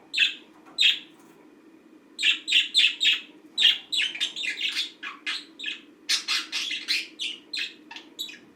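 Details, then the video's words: A green budgie kept as a pet, in its daily routine, chirps twice, then breaks into a long, busy run of quick, rasping chirps and twitters that become denser and more varied. "Green budgie routine"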